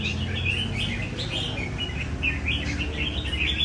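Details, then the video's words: Red-whiskered bulbuls, tamed and trained in a bird cafe, sing 'chạy cầu' phrase runs with a steady, leisurely rhythm. There are continuous bubbly whistled warbles with slurred up-down notes over a constant low hum. "Cafe chào mào chạy cầu thuần hoá nhịp nhàn cho anh em nào thích nết cao cầu"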